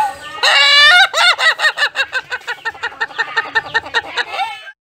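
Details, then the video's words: Laughing chicken of the Ayam Ketawa breed: a loud drawn-out opening note, then a long string of quick staccato cackles, each arched and nasal, steadily repeating and gradually softening before stopping. "Chicken Laughs Like a Super Villain - Ayam Ketawa - Laughing Chicken"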